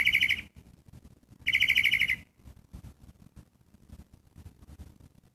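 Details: Two grating, pulsed catbird calls, the second longer, followed by quiet background.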